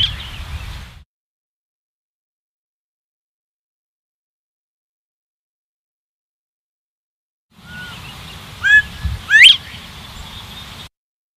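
Northern bobwhite: short clear whistles ending in a sharply rising note, after a brief burst of low rumble and a long silent gap.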